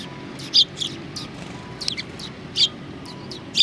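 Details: Sparrows at Tenmangu shrine on 23 January 2019, giving short bright chirps high in pitch, several scattered through a few seconds with soft faint tweets between, over a quiet background.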